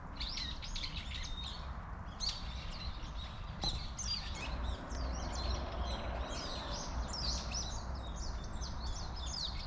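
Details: A flock of Eurasian tree sparrows gathered in a persimmon tree chirps continuously, with many short, bright, overlapping chips at a busy pace, over a steady low rumble of background noise.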